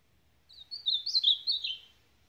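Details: Ultramarine grosbeak giving one rapid supapo phrase of sweet, slurred whistles that dip lower toward the end, with a soft low background murmur.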